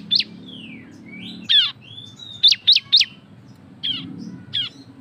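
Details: Cisem giving a loud ngebren song to prompt other birds to sing: sharp high chirps separated by thin falling whistles, a run of three piercing notes, then two more spaced chips.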